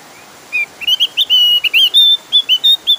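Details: Insistent song of the Javan grey-throated white-eye, meant to draw other birds of its kind into song: clear, high, pure whistles in a rapid series, mixing slurred notes with short steady tones.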